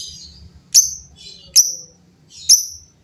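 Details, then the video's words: Lovebirds calling in turn, giving sharp, high, whistled chirps that sweep downward, repeated roughly every 0.8 seconds, each preceded by softer twittering, with a low hum beneath. "LOVEBIRD GACOR GAYA MEWAH SEMUA LOVEBIRD JADI BUNYI RIBUT BERSAUTAN"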